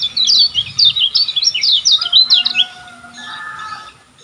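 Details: Kecial kuning from Lombok, played to teach caged birds: a burst of quick high twittering notes lasting about two and a half seconds, then softer, lower warbled sounds fading out.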